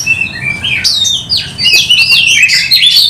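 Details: Oriental magpie-robin in vigorous song with tail spread, a lure for other birds: soft whistles build into loud sweeping slurred notes and rich warbles, almost without pause.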